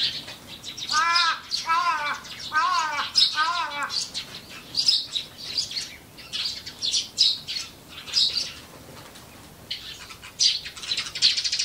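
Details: Eurasian tree sparrows living close to people: a series of four loud, harmonic, arching calls in the first seconds, followed by scattered short, bright chirps repeated irregularly over a quiet background.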